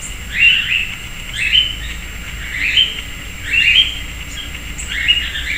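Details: Sayaca tanager, a common urban bird, visiting a persimmon tree in a residential backyard in Piracicaba, São Paulo, Brazil, giving five short, high, squeaky chirping phrases, about one per second, over a faint steady high hiss and low background rumble.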